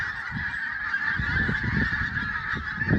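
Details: Sunrise at Prestatyn: a goose flock keeps up a thick wall of honking calls, individual notes overlapping without a break, with soft low thumps underneath.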